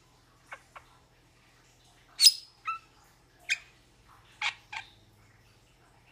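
Metallic starling giving about eight sharp, high, metallic notes and brief squeaky whistles at uneven intervals, each under half a second. Faint low hum underneath.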